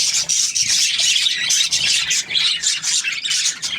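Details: Happy budgie giving a continuous scratchy, rasping warble of high chirps and whistled squeaks, almost without gaps.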